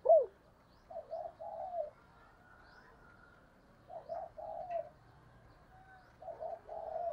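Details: Female spotted dove serving as a decoy, cooing to draw wild doves; a sharp opening note, then three soft, breathy coo phrases, each about a second long, over low background hum.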